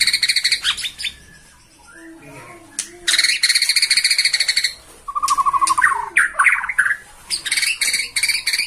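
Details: Bornean white-rumped shama stirred up by a rival, holding one perch: long stretches of dense, rasping chatter broken by a pure whistled note and sharp sweeps.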